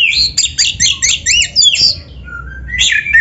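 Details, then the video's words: Oriental magpie-robin (kacer) training song to stimulate a captive bird: dense burst of rapid, jumbled whistles and scratchy notes, then a low drawn-out whistle and a final bright phrase. "PANCINGAN SUARA KACER GACOR untuk latihan‼️100% ampuh bikin KACER NARUNG BUKA EKOR DIGANTANGAN🔥"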